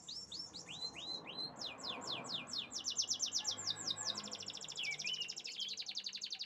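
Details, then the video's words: Canary song built from looping, upward-sweeping whistles that speed into a dense, rattling high trill, with one lower slurred note near the end; steady low hum underneath. "the beautiful chirping sounds of canaries"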